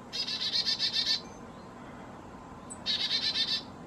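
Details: Black-capped chickadee, possibly a hybrid with Carolina chickadee, fussing at a feeder at 4000 feet in the Great Smoky Mountains; two bursts of rapid, buzzy dee notes, about six evenly spaced per burst, separated by a pause.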